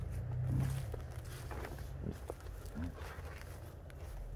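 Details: Yearling emu, just starting to develop its voice beyond cooing, giving deep, rumbling grunts low in pitch, with one short higher note near the end, over soft scuffing and rustling.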